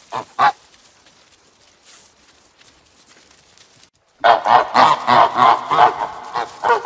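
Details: A pair of sharp honks from a farm goose, a silent stretch, then a loud, continuous series of raucous, overlapping honks.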